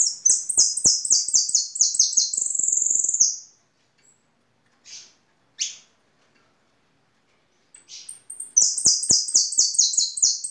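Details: European goldfinch in song: fast, bright, high-pitched twittering phrases of rapid repeated notes, then a pause with a few isolated tinkling calls before another quick twittering burst, with faint clicking below.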